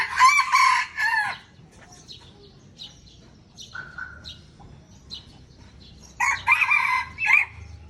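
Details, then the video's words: Crowing contest in Aceh, Indonesia, between an original red junglefowl and an F1 hybrid: a strong rasping crow opens, faint chirps and clucks follow, and another broken two-part crow comes about six seconds later. "Ayam Hutan Aceh # Perang Kokok Ori dengan F1"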